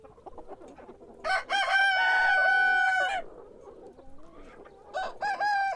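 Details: Rooster crowing in the morning: one long, level, ringing crow of almost two seconds, then low clucks and the start of another crow.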